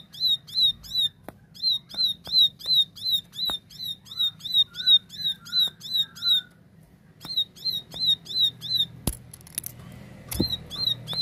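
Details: Plain prinia (ciblek sawah) singing a clear tembakan series: over twenty bright, high chips in quick even succession, a pause filled by faint descending whistles, then the chipping resumes alongside some clicking noise.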